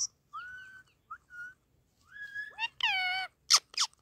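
A ringneck parakeet talks in a thin, nasal voice, mixing short whistled phrases with a buzzy, word-like stretch, then ends with two sharp screeches.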